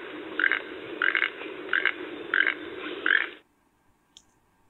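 A toucan gives five hoarse, frog-like croaks, evenly spaced about two-thirds of a second apart, over a low background hum before falling silent.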